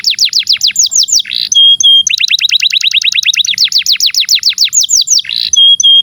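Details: Long-playing canary song meant as a tutor for young canaries and birds that have stopped singing: very fast rapid-fire trills of high descending notes, broken by short buzzy bursts and brief steady whistled tones.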